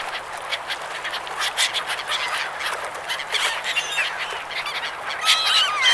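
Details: A crowd of gulls over a river, calling over one another with harsh squealing and mewing notes in a constant jumble, and one clearer wailing call near the end.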